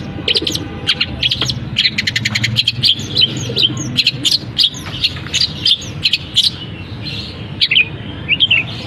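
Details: Long-tailed shrike song mixing imitations of canary and other birds, a jumble of quick chirps, trills and sharp high notes with short pauses.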